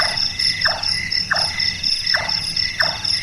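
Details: Large-tailed nightjar (Caprimulgus macrurus), a nocturnal bird, giving hollow, knocking 'chonk' notes, repeated about every two-thirds of a second, over a steady high buzz of crickets.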